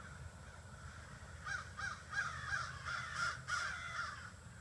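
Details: After a quiet start, a steady run of harsh caws begins and repeats about three per second, from 30 to 40 crows that gather every evening in trees by a house.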